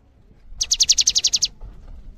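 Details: Cinereous tit song, used to prompt other birds to sing: a fast, even trill of ten high, sharp notes lasting under a second, over low background rumble.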